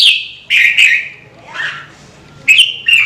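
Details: Vietnamese red-whiskered bulbul giving clear, loud whistled notes, a bright sliding phrase, a softer slurred note midway, then two more ringing whistles near the end; otherwise quiet.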